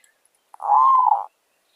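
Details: Zebra dove, a fierce wild bird from the village, answering a decoy during trapping: one smooth, drawn-out mid-pitched coo of about two-thirds of a second that swells and then fades, in a quiet setting.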